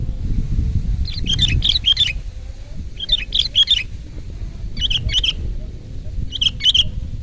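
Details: Sooty-headed bulbul singing loudly: four bursts of rapid liquid chirps, each about half a second long and spaced a second or two apart, over a low background hum.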